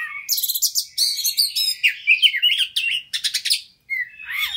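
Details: White-rumped shama, a fighter-type bird, singing a fast lure song meant to spur another bird to sing: a rapid run of varied high whistles, buzzy trills and sharp chirps, packed closely with brief pauses.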